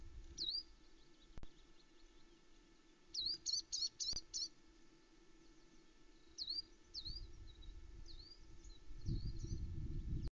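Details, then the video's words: Around 9am on 21 May 2020, unseen songbirds near the Loch Arkaig osprey nest give bursts of high, sweet, quickly repeated chirping notes, some in rapid runs, over a low steady rumble. "Sweet bird song"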